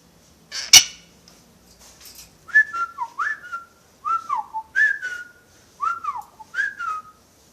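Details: Shy captive parrot, said to whistle a film marching song, whistles after a person urges it to sing: five short swooping two-part phrases, each rising then falling, about one per second, after a loud click.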